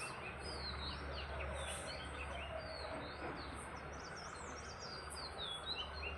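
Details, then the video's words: Morning bird chorus at sunrise in Waling-2: dense high-pitched twittering and quick upward-sweeping chirps from several birds, repeated rapidly, over constant low humming noise. "birds chirping sound"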